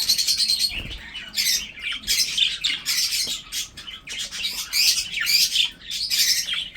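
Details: Breeding budgerigars chatter in repeated harsh, buzzy high bursts separated by short pauses, several birds calling in a small space.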